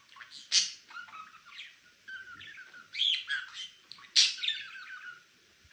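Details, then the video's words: Male pet budgie giving busy chattering chirps, sharp high bursts mixed with buzzy warbles and short pauses between phrases. "chirping sound"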